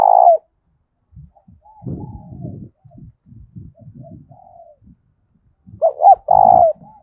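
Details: Spotted dove challenge coo, loud and resonant, heard at the start as a falling hoot and again near the end as two quick hoots and a long sustained coo, with low rustling and handling noise in between.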